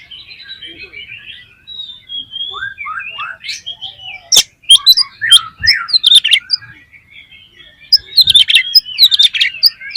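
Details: Oriental magpie-robin (kacer) lure song: varied warbled and whistled phrases building into sharp, rapid chirps, with a few faint thumps.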